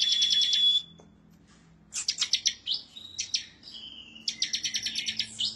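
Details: Bar-winged prinia (ciblek) in full, emotional song seeking a rival; a dense high rattle with a thin whistle stops abruptly, then after a pause come jerky chip series, whistled slurs and a closing rapid rattle.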